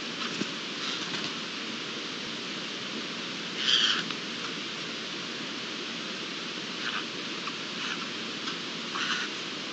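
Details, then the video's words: A Eurasian jay from a family group at dawn on 24 June 2022 gives a harsh, rasping screech near the start, then three fainter rasps, over a steady hiss like light rain or wind. "Familia de arrendajos y el amanecer"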